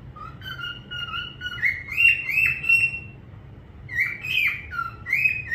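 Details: A parrot whistles loud, sliding notes that climb in steps, repeated in two phrases with a short pause between them.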